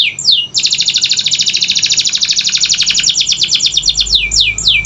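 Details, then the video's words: Canary singing to coax reluctant birds into song: a couple of swooping notes lead into a long, rapid, rattling trill of bright high notes that breaks into falling slurred sweeps near the end. "Pancingan Kenari Malas Bunyi‼️Dengar Langsung Nyaut Gacor Dor"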